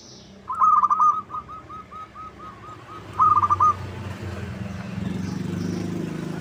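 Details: Local zebra dove song used as a lure to get rival birds to answer: a bright rapid pulsed opening, then a string of short coos, then a second pulsed burst over low rumbling background noise.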